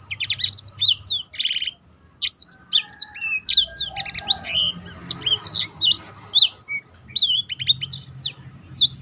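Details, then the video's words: Black-throated canary delivering non-stop varied song for training other birds: rapid sequences of high chips, short trills and whistled sweeps, with a soft rustling noise in the middle. "burung blackthrout lain pun ikut tergoda berbunyi."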